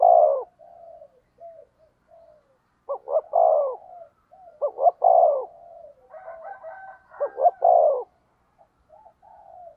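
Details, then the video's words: Decoy spotted dove calling to provoke rival birds: repeated deep coo phrases of short stuttered notes ending in a drawn-out falling coo, with softer murmuring notes between phrases and brief faint higher chatter near the end. "Cu Gáy Mồi Thúc/ Kích Bổi Mới Nhất | Chim cu mồi"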